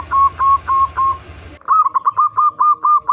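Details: Local zebra dove singing on a lure track meant to make other zebra doves sing: four spaced, level cooing notes over a humming background, then a fast clean run of about nine clipped coos.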